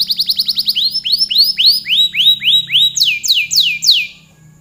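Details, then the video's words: Long song of a canary: a fast trill opens into slower, looping whistled notes repeated about three times a second, then higher swooping phrases before the song trails off, with a faint low hum behind. "Suara burung kenari gacor kicau panjang"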